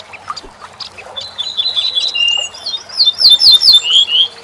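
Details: Corn bunting song played to teach songbirds: a few ticking high notes speeding up into a dry, jangling trill like shaken keys, with faint background chatter.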